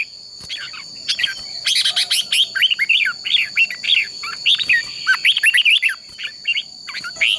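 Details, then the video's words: Red-whiskered bulbul fighting song, a competition-style song used to train and stir other birds: a lively, continuous stream of rapid, slurred whistled notes rising and falling, with a constant thin high-pitched whine behind it. "Chào mào hót đấu"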